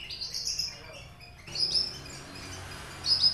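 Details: A captive Horsfield's bush lark of the Papuan subspecies aliena, kept three years and taught finch song, gives thin, high chirps and brief twittering bursts in a few quick phrases over a faint steady hiss.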